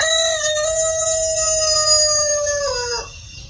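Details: Rooster crowing at a chicken farm: one long, loud, level harmonic note held about two and a half seconds, sliding downward and fading at the end.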